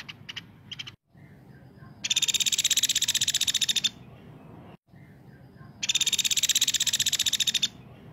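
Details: Woodpecker calling actively, used as a tutor for magpie-robins: a few short chirps open the recording, followed by two fast, buzzy, pulsed rattles of under two seconds each with a quiet gap between.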